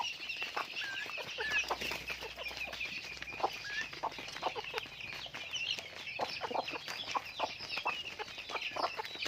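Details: Farm-raised chickens in a flock, a continuous jumble of high clucks, trills and chirps from many birds, steady in loudness with no single caller standing out.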